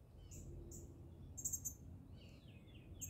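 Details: An indigo bunting at Admiral Trost Park on 14 June 2023 sings high, sharp notes in quick pairs, then lower slurred phrases, over a steady low rumble of background noise.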